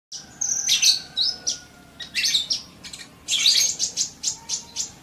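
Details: Sunbird song from a masteran recording meant to get birds singing quickly: bursts of high, sharp chirps and thin twittering trills, loud clusters separated by short pauses, with faint steady tones lower down.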